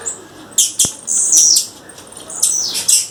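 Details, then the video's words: Wild female blue-black grassquit calling: bursts of thin, very high chips and short buzzy slurs, a loud drawn-out downward-sliding buzz in the middle, one sharp click, then more high chirps and buzzy notes. "Tiziu fêmea, fêmea de tiziu chamando na natureza"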